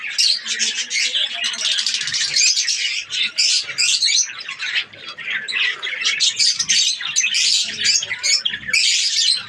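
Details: Colony of breeding budgies in Pakistan: a continuous wall of high chirps, squeaks and scratchy warbles from many birds at once, briefly dipping in loudness midway.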